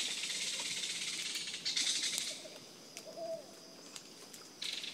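A belted kingfisher gives its harsh, dry, rapid rattle, loud for two seconds and then again briefly at the end, with a faint low whistle between.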